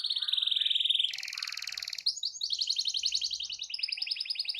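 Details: Canary in long rolling song to spur other canaries: continuous high rattling trills shifting in pitch and speed, with a brief lower warble.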